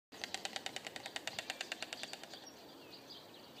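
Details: Male and female white storks making a noisy display at their nest in the village of Lazina, Croatia: a rapid, even wooden rattle of about twenty clacks lasting two seconds, then fading into faint background noise.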